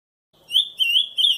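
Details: Ultramarine grosbeak in the wild giving a brief fragment of camaquã-style song: three short, clear whistled notes with a slight wavering rise, in near silence.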